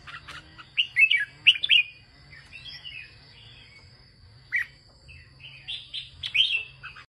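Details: A farmer's Red-whiskered bulbul sings northern-style 'ché' phrases, with an opening run of loud, bright whistles, a quiet gap, then further warbled bursts, all over a steady high electronic whine.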